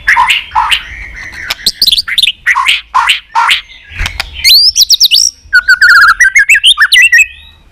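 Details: White-rumped shama singing a varied fighting song meant to lure and provoke other males: rapid chattering phrases, then rising whistled notes and a fast rattling series of bright repeated notes near the end.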